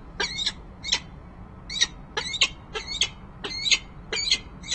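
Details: Peregrine falcon on a nest-ledge cam, Rachel Carson building, Harrisburg, PA, 19 January 2013: the resident female, it is thought, gives about eight harsh, raspy calls in under five seconds over a faint hum; a male was perhaps off camera.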